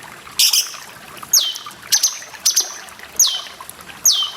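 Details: Grey-cheeked bulbul with background water: a splash, then high clear whistles dropping quickly in pitch, repeated about every half second to second, separated by short high notes.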